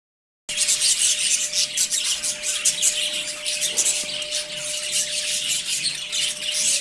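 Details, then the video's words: Pet budgerigars in the morning fill the air with dense, continuous high chirping and warbled chatter, rapid overlapping notes from several birds, with a steady low electrical hum underneath. "Good morning budgie's"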